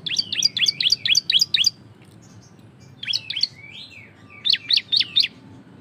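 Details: Loud 'ngebren' singing by a cisem, meant to encourage other birds to sing: a fast run of about eight sharp, high, falling chirps, a pause, then quicker groups of three to four chirps linked by a slurred whistle.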